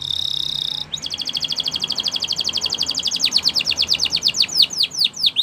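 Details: Canary training song for teaching canaries: a steady buzzy high trill of rapid identical notes that loosens into a slower series of descending whistled sweeps, each note growing louder toward the end; faint low hum beneath.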